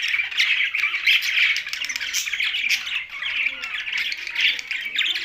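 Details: Budgerigars kept together with a parrot in Larkana, Sindh: dense, continuous high chattering and scratchy squawks with rapid twittering, several birds calling at once without pause.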